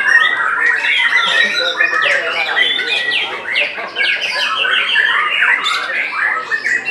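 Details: White-rumped shama, a contest winner, singing at a bird competition in Semarang, Indonesia, July 2022. Loud, fast sequences of chattering and slurred whistled notes pour out without pause, with other birds singing around it.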